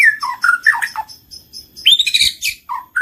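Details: White-rumped shama (murai batu) lure song for triggering singing and mating: quick sequence of descending slurred whistles, softer repeated high notes, then a loud rising whistle with harsh overtones.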